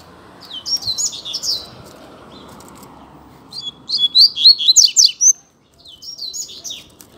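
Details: Double-collared seedeater singing against a rival in a song contest. A short twittering phrase comes first, then after a pause a loud, fast string of sharp down-slurred notes, and finally a softer closing phrase.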